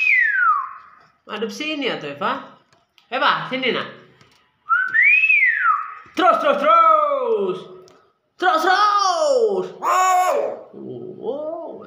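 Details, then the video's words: Common hill myna, described as skilled at talking, giving loud speech-like phrases: six bursts of rich, harmonic syllables with sweeping glides, one clear rising-then-falling whistle midway, separated by short silences. "Beo 1 M pintar ngomong"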